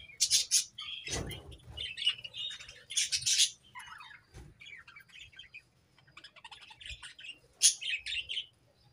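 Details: Budgerigars in a new colony, described as happy: bursts of high, scratchy warbling and chirping chatter come and go, with quieter twittering between them and a few low thumps.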